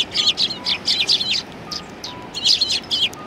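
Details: Eurasian tree sparrows chirping on 28 December 2019, quick bursts of bright, clustered chirps in two busy runs separated by a short pause, faint tonal beeps behind.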